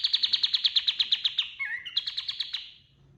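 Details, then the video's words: Kapas tembak white-eye singing energetically as master song for tutoring other birds: a quick run of about fourteen sharp, evenly spaced high notes, a brief twisting slurred phrase, then more rapid notes fading away. "SUARA KAPAS TEMBAK GACOR 100% DAHSYAT UNTUK MASTERAN SEGALA JENIS BURUNG"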